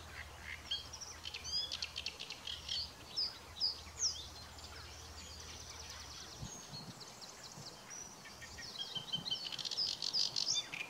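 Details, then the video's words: Great Reed Warbler singing harsh, chattering phrases of grating and squeaky notes, with other small birds chirping and a low background rumble early on; recorded at Besthorpe Nature Reserve, Nottinghamshire, on 5 June 2021. "Great Reed Warbler"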